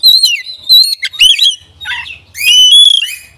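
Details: Song of an oriental magpie-robin meant to provoke other magpie-robins, with a long clear whistled note, twisting warbled phrases, and a rising drawn-out whistle at the end.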